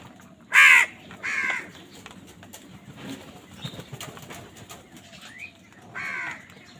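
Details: During a fight for food, a crow calls two rasping caws in quick succession, then falls silent for several seconds before a single further caw near the end.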